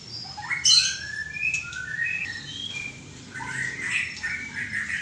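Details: White-rumped shama song: a sharp high note, then clear whistled glides stepping upward, followed by a softer run of warbled notes over faint background hum.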